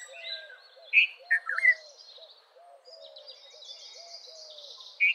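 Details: Red-vented bulbul calling with a cluster of short, rich, warbled notes, then one more near the end; other birds chatter in high trills and a low hoot repeats throughout.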